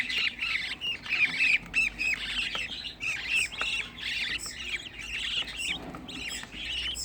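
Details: Raspy squawks from a crowd of sixteen home-bred budgerigar chicks, rapid and rhythmic, some notes with a bright whistled edge, coming in quick bursts with brief lulls.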